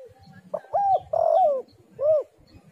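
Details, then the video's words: Spotted dove (tekukur) calling as a lure for other doves: a short coo, an arched coo, a long wavering falling coo and a final rounded coo, clear over faint background chirps. "tekukur super gacor suara indah"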